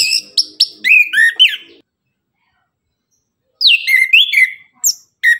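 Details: Orange-headed thrush delivering tembakan song in the morning: clipped, rapid whistled phrases with swoops and slurs in two bursts separated by roughly two seconds of silence.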